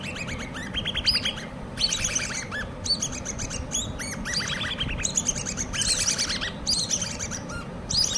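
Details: Several hand-reared common babbler chicks calling together in repeated bursts of shrill, rapidly stacked chirps, each burst about a second long, against a constant low hum.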